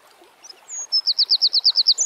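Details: Eurasian wren in song outdoors: soft high whistles build into a loud, evenly spaced series of shrill repeated notes, roughly a dozen in quick succession.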